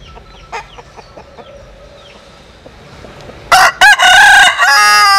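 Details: Faint scattered chirps and clucks over a quiet background. Then a Jap-Cuban crossbred bantam cock gives a sudden loud crow: two short harsh notes and a long hoarse sustained final note.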